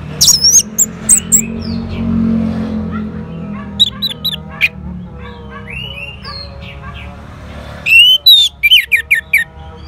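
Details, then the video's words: Orange-headed thrush from northern Bali, Singaraja, answering a lure sound with bursts of loud, high chirping and whistled notes at the start, middle and end, separated by quieter gaps with faint lower tones. "Sangarnya Respon ANIS MERAH Langsung Nyaut Dengar Pancingan Suara Burung Ini."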